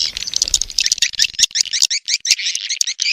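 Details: Mating lure call of edible-nest swiftlets, aimed at attracting swiftlets to a nest house. Quick, high, downslurred chirps follow one another in a rattling series, busier at first, then more spaced out.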